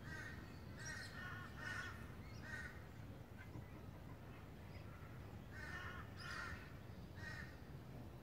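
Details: Rainbow lorikeets in south east Queensland, Australia, giving harsh, grating screeches in short bursts, clustered early and late with a quieter gap midway, over a steady low rumble of background noise.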